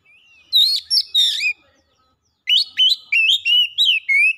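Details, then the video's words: An oriental magpie-robin delivers quick whistled phrases mixed with harsh chatter, pauses for about a second, then resumes with a rapid string of short rising-and-falling whistles, roughly three per second. "PANCINGAN KACER CEPAT GACOR LANGSUNG BONGKAR ISIAN"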